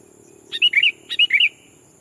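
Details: Sooty-headed bulbul as a decoy, calling a rival to draw in wild bulbuls; two rapid bubbly phrases back to back, each of four liquid notes, over a low rural hum.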